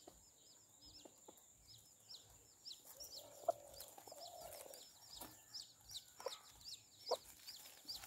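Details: Chicks with their mother hen, which protects them: constant thin, high peeping chirps repeated quickly throughout, with a few lower soft clucks from the hen and scattered scratching or pecking taps.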